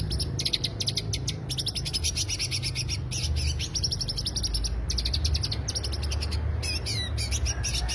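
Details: Dense, almost continuous greater green leafbird lure song of rapid high chirps and twittering runs, barely pausing, with a low steady hum underneath.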